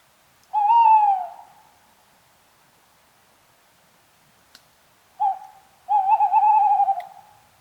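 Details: Tawny owl calling: a long hoot sliding slightly downward, then after about four seconds of quiet a short note followed by a drawn-out, wavering, tremulous hoot; faint clicks between, otherwise a quiet background.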